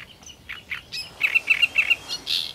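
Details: Great reed warbler singing with abandon: a few rasping notes, then a fast run of harsh, grating chirps repeated about five times in under a second, ending in a broad, scratchy burst.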